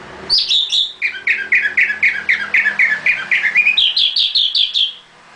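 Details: A caged nightingale repeats one rich, slurred note about four times a second, first lower and then jumping higher, a fast regular rattle of phrases.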